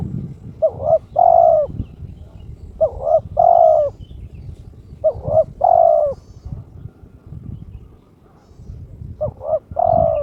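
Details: Spotted dove in breeding condition challenging an opponent, its clear crystal voice giving four evenly spaced coo phrases, each a short warbled doublet then a drawn-out steady note, about every two to three seconds, with low background rumble.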